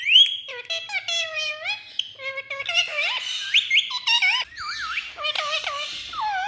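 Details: Indian ringneck parrot chattering in imitation of speech: a continuous stream of nasal, harmonic, swooping syllables, rising and falling like words, with little pause.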